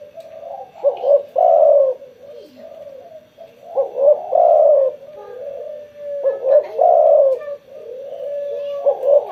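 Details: Spotted dove cooing actively after being sunned: repeated mellow phrases of short hooting notes, each ending in a longer, fuller coo, with phrases every two to three seconds.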